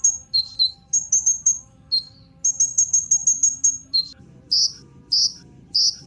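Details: Kolibri Ninja sunbird lure for making birds sing: runs of very high, sharp chirps alternating with lower thin notes, then three separate hoarse, high chirps spaced about half a second apart.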